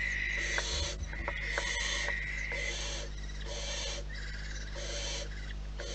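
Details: Noisy barn owl nest in the wild: overlapping rasping hisses repeated several times, a thin steady whistle-like tone running beneath some of them, and a low droning hum.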